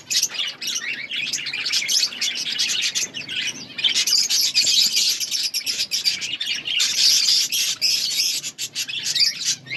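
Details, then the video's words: Budgerigars in an outdoor colony produce a steady wall of high chirps, chatters and warbles, many birds calling at once with scarcely a gap. "Budgies chirping sounds in outdoor budgies colony"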